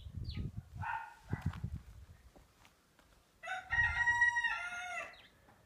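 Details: Pair of frizzle Pekin hens, blue mottled white, back to laying after a long moult: short clucking notes with thumps, then a longer rich harmonic call near the end.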